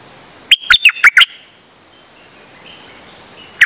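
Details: Dok Taeng bird, 8 September 2023, singing nonstop on an uncommon outing: a rapid run of six clear chirps, a pause of over two seconds, then a single note begins again.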